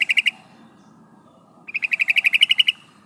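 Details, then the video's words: [4, 'Female yellow-vented bulbul calling to a male, used as a lure. A brief burst of three notes, a pause of over a second, then a quick trill of about a dozen bright, clear notes that grows louder.'] "suara burung trucukan betina memanggil jantan"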